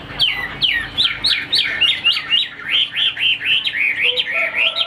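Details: Chinese hwamei kept in a cage, singing a rapid string of loud looping whistles, each note swooping up and down, repeated about four times a second, with a couple of softer whistles near the end.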